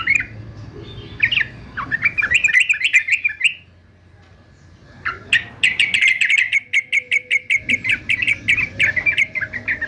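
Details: Male yellow-vented bulbul, fighter type, sings a rising warbled phrase, falls silent for over a second, then resumes with a fast, steady rattle of sharp repeated notes lasting about four seconds.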